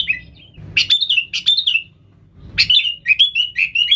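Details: Sooty-headed bulbul, a lively singing bird used to lure wild bulbuls, giving short bursts of bright, bubbling whistled notes that slide down from high pitch, in two phrases separated by a pause; faint low hum beneath.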